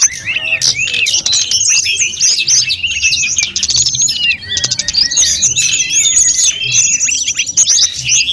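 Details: Snowy-browed flycatcher singing a lively training song for other birds, with quick, jumbled high chirps and squeaky twitters, some rapid trilled bursts near the end.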